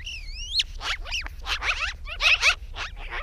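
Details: Landing on a post, a chatty magpie starts with a wavering whistled phrase, then gives rapid harsh chattering notes mixed with short upward-sweeping whistles over a constant low rumble.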